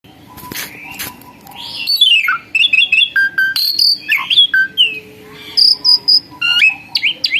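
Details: Myna, once a skittish wild-caught bird that suddenly became tame and a prolific singer, pouring out a varied song of sharp whistles, upslurred and downslurred notes, and brief chattering bursts in quick succession.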